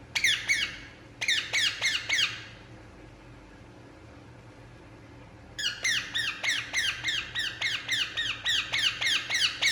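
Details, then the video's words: Indian ringneck parakeet relaxing indoors, giving bursts of harsh, descending squawks, about three to four a second; a short run, a quiet gap of several seconds, then a longer steady series in a small room. "Indian Ringneck Parakeet Relaxing And Making Sound"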